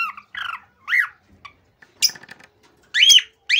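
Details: Male cockatiel singing excitedly to encourage mating: a few looping, warbling whistles separated by pauses, a harsh scratchy burst mid-way, then a loud rising whistle.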